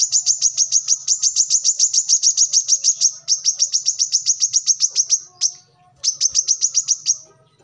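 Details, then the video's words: Brown-throated sunbird (manggar) in full, vigorous song: a long, rapid, evenly paced series of high, sharp notes, about three to four per second, briefly broken near the end before resuming. "kolibri kelapa | manggar | wiceh | korlap gacor"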